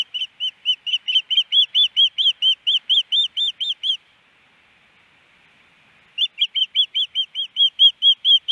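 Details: At a Montana osprey nest in Hellgate Canyon, April 2019, the male hushing the female: evenly spaced, high, slurred whistled chirps, around two a second, breaking off for two seconds before resuming.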